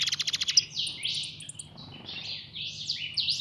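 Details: Pet European goldfinch, a young pintón bird, opening with a quick run of about eight sharp repeated chips, then slurred buzzy sweeps and tinkling twitters with brief pauses, against a soft low hum.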